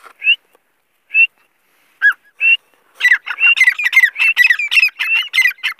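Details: Female grey francolin, locally called teetar, calling: a few isolated clipped notes, then a rapid harsh chattering series of grating, rising squawks packed closely together.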